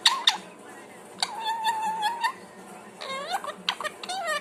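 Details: Parrot making two sharp chirps, then a long level whistle lasting about a second, followed by bursts of rising, harmonic squawky notes.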